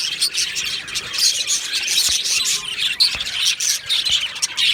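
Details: Budgerigars in an aviary colony, 22 June 2025, producing a continuous babble of high chirps and warbles, with occasional sharp clicks cutting through the overlapping voices.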